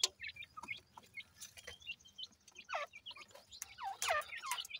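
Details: Morning feeding of partridge chicks, with scattered high chirps and sharp downward-sweeping peeps that grow louder toward the end, plus light clicking.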